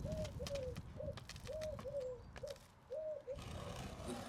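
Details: Eurasian collared doves outdoors give soft cooing calls, short hoarse hooting notes in loose groups of two and three, against construction work sounds, rustling and a man talking about roofing felt.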